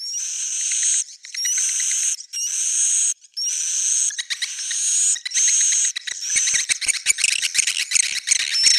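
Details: Roosting calls of edible-nest swiftlets, for attracting swiftlets: buzzy, high chirp bursts with short pauses, ending in a rapid series of dry, sharp clicks.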